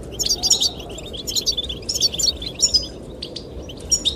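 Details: Goldfinch song aimed at attracting the female: clusters of quick, high, tinkling notes in short bursts, then sparser chirps, with wind underneath.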